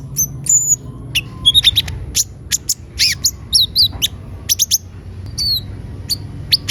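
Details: Olive-backed sunbird (kolibri ninja) in full song used as a lure; very high, rapid chirps and short buzzy twitters, with gaps between bursts.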